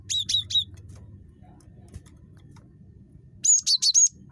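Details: Great tit, locally gelatik batu and described as very chattery, giving a quick burst of three high, sharp chirping notes, a pause, then four more clipped, whistled notes near the end, over a low steady hum.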